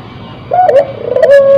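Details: Spotted dove, a crossbred bird in breeding condition, gives a single short coo: a clear tone that steps up and then holds level, with faint background hiss.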